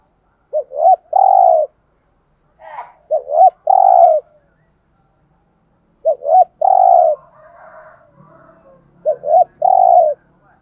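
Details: Decoy spotted dove calling thúc gù: four phrases, each of two quick short notes and then a sustained mellow coo, separated by irregular pauses, with faint murmuring noise late in the sequence.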